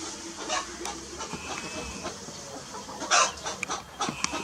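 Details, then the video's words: Hen perched up in a tree, giving short broadband clucking bursts, with one louder, harsher cluck near the end against a steady faint background hiss. "Hen on a Tree #2"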